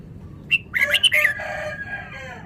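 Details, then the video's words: Red-whiskered bulbul, called a Vietnamese bird, in fast song: a short sharp note, then a quick bright warbled phrase, followed by lower drawn-out harmonic notes fading away. "นกกรงหัวจุก จ้าวมาเฮง นกเวียดนาม ร้องรัวรัว"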